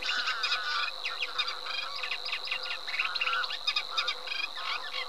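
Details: Eurasian reed warbler delivering a fast, jerky chatter of grating and ticking notes, while a steady high whine, perhaps insects, runs under the whole stretch.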